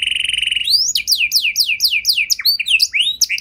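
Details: Canary song meant to prompt other canaries: a steady high buzzing roll switching into a series of loud, swooping whistled notes that rise and fall, spaced irregularly.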